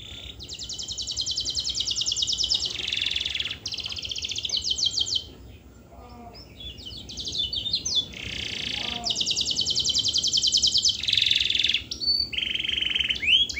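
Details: Canary song for coaxing silent canaries into singing: long bursts of fast, even, high trills separated by brief pauses, a few faint sweeping notes between, steady throughout.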